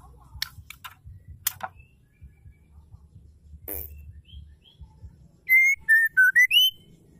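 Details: Female white-rumped shama, played to make males sing: a few faint ticks and soft notes, then a loud rapid phrase of about seven clear whistles that falls and then rises at the end.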